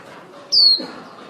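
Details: A single loud, high, thin whistle sliding downward from a female lure white-eye calling the flock, a recording used for trapping.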